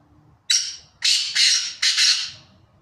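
A Black Francolin gives a loud, harsh, grating call of three rasping bursts, each about half a second long, over a faint low background rumble.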